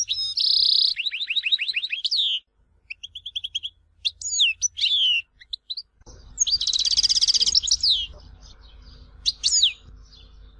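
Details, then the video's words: Song of a European goldfinch from Tizi Ouzou: a harsh buzzy burst, falling twitters, short chirp groups and sharp slurred notes, then a loud trilled buzzy phrase over steady background noise. "Chant chardonneret tizi ouzou تغريد حسون تيزي وزو"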